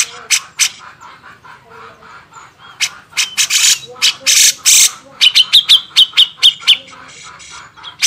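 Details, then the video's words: Grey-cheeked bulbul, recorded as a master for tutoring caged songbirds, gives scratchy noisy bursts, then a quick run of sharp clipped chips repeated about twice a second. "masteran burung cucak jenggot"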